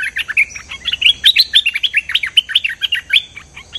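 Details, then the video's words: Cream-vented bulbul lure call: a fast, bubbly run of short, mid-high chattering notes, several each second, with no break and no other sounds. "Suara pikat merbah lekir gacor"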